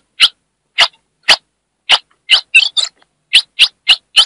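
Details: Ultramarine grosbeak (Cyanoloxia brissonii), female chirring call used to excite the male: sharp, high, hissy chip notes, about ten in four seconds, irregularly spaced with a quick double note midway.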